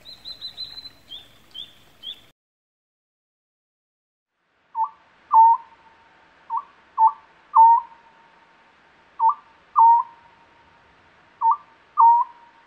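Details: Oriental scops owl, Korea's smallest owl, gives short mellow two-part hoots every one to two seconds; only males call, from spring to summer, from early evening to dawn, to find mates or guard young and feeding sites. High thin chirps from another bird come first.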